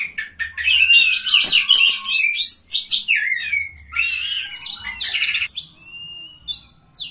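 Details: Oriental magpie-robin singing at a bird singing contest, a third-place winner in full song: dense rapid run of sweet whistles, chirps and slurred notes, some sliding downward, with brief pauses and faint low hum beneath.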